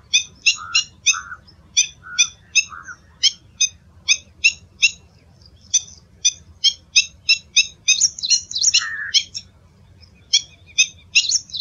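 Black-winged Stilt giving sharp, high, yelping kek notes in quick runs of three or four a second, with a few lower, harsher notes mixed in.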